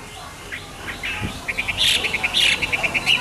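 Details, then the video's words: Hwamei singing in the morning: soft scattered notes give way to a quick run of short chirped notes, repeated evenly about twice a second, with a few richer bursts mixed in. "Nghe chim họa mi hót hay mỗi sáng"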